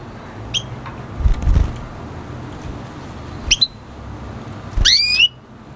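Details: Red siskin by canary F1 hybrid singing: brief high chip, a rising whistled note, then a longer buzzy upswept phrase, with low thumps and rumbling in the background.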